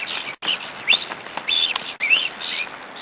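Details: Black stork pair fighting an intruder at the nest, Estonia, 14 April 2008: high, thin, wheezy squeals and whistled chirps in short overlapping bursts, with scuffling noise between them.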